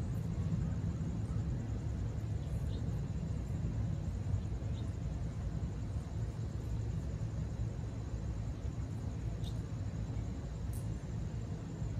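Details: Only a steady low rumble, like a passing vehicle or wind noise, is heard throughout, with no clear animal calls.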